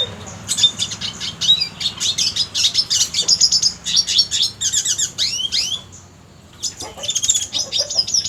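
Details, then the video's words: Red siskin song used as a model for training contest birds: rapid high, thin chips and twittering notes, with upward and downward slurs, delivered in dense bursts with a brief pause near six seconds before resuming. "MASTERAN red siskin cocok untuk isian burung lomba"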